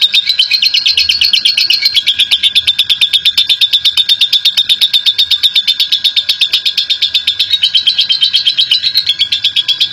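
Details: Long ngekek from a national champion lovebird, used as a lure so other lovebirds sing: an unbroken, shrill, rapid chatter of evenly spaced buzzy pulses sustained throughout, with a faint steady tone underneath.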